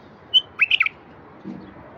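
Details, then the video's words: Singing wild bulbul, played so quiet wild bulbuls start singing: a clear high note, then a rich warbled run of three or four fluty whistles, with a low murmur afterwards. "تغريد لفتح البلابل الوحشية الساكتة"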